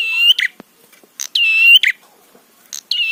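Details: Prinia calling to provoke others of its kind: repeated buzzy, slightly rising nasal notes, each ending in a scratchy burst, with about three phrases in quick succession.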